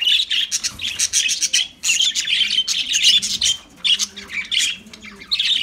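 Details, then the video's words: Lovebirds singing with rapid, raspy squeaks and squawks in clustered bursts, broken by short pauses, low cooing faint behind. "Lovebirds Sounds Lovebirds Singing"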